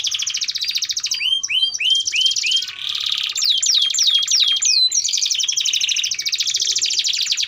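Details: Caged canary's long-duration song for tutoring young canaries: rapid high trills interrupted by series of rising-falling swoops, about three per second, returning to a fast rattling trill.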